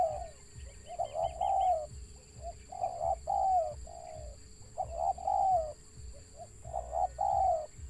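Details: Wild spotted dove with stammering coos: clusters of quick clipped notes followed by drawn-out downslurred hoots, repeating every couple of seconds, with a faint higher chatter early on and a low steady hum.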